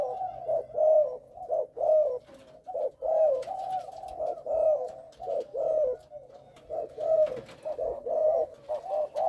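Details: A young spotted dove of a Malaysian bred line, recorded in a small room, gives soft, hoarse, mid-pitched coos in close runs, with a stuttered start of three notes and nearly one phrase per second.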